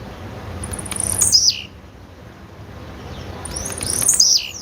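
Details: Call of a female blue-black grassquit, two sharp high descending sweeps with a buzzy finish, spaced about three seconds apart against faint background hum.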